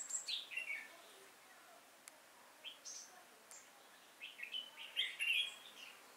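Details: Decoy red-whiskered bulbul singing beside a trap to lure wild birds, recorded 5 October 2018. Short chirpy, slurred notes scatter through the clip, with a brief sharp click, then a denser warbled run near the end.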